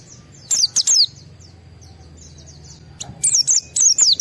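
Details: White-eye in high-excitement song, used as a lure to make other white-eyes answer and sing: two short bursts of very high, sharp down-slurred chirps, one near the start and another after a quiet gap of about two seconds.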